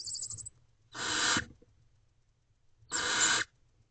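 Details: Female barn owl visiting her owlets in a nest box before dawn, late April; two rasping, noisy hiss-screeches of about half a second, spaced two seconds apart, with faint scratching between.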